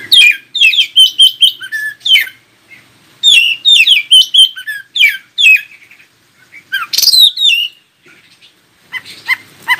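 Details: Oriental magpie-robin song used to get other magpie-robins singing back: rapid, lively sequences of sharp descending whistles and chirps, pausing briefly, then a harsher burst and softer notes at the end.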